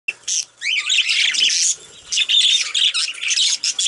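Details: Male budgerigars, kept as pets, chattering while bathing: dense, continuous warbling and scratchy squawks in bursts, with brief pauses between runs of high chirps.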